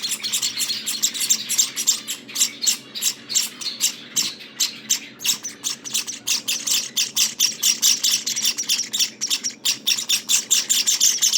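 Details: Java sparrow nestlings at day 18, kept birds, giving a continuous rapid stream of harsh, high-pitched begging squawks, several bursts per second with brief dips between them and no pauses longer than a moment.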